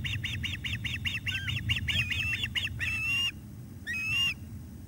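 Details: Osprey at the nest with fish arriving, 17 July 2021 at 19:48. Long runs of quick repeated whistled notes end in two drawn-out, rising-falling whistles, the second after a brief pause. A low hum sits beneath.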